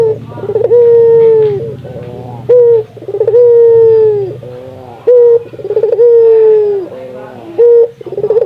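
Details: Local Indonesian spotted dove calling steadily, used to stimulate other doves to call: a short coo followed by a long, steady, slightly falling coo, the pattern repeated about every two and a half seconds, with a faint low hum behind.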